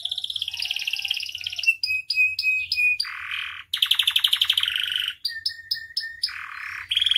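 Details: Canary singing vigorously with a full repertoire, intended as tutor and lure song: a rolling trill, a series of short clipped whistles, buzzy bursts, and quick pulsed rolls switching pitch throughout.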